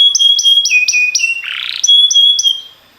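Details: Training song of a canary: pulsed chirps laid over a sustained whistled tone, a brief low buzzy burst midway, then more regular chirping notes fading out at the end.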